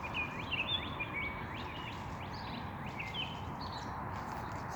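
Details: Birds singing on a spring evening in Toronto in May 2021: short whistled chirps, some rising and some falling, from several birds, heard over a steady low background rumble.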